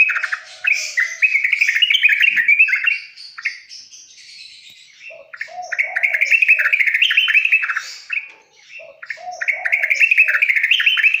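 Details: Sooty-headed bulbul (trucukan) masteran for young birds: repeated bouts of fast bubbly chattering notes separated by quieter gaps, with low soft notes between the bursts.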